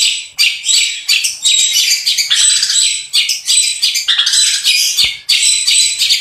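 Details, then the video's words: Long-tailed shrike pouring out a song of imitations, coarse calls and quick rolling bursts; rapid scratchy, high chattering phrases, about three per second, with brief whistled notes woven through. "BURUNG CENDET GACOR MEWAH ISIAN KASARAN DAN TEMBAKAN ROLL SPEED"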